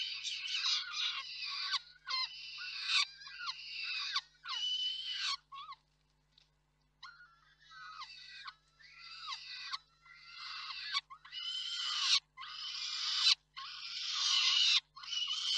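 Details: At a peregrine falcon nest in Reda on 4 May 2023, the male delivers prey and the female feeds the brood. A series of grating, scratchy calls comes in uneven bursts of about one a second, with a brief lull midway.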